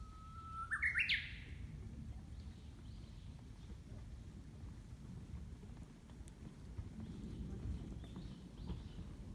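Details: Japanese bush warbler singing at a suspension-bridge lookout on the Ibusuki Skyline, Kagoshima, in warm weather: one long, level whistle breaks into a quick rising, warbled flourish. Steady low wind-like rumble continues afterwards.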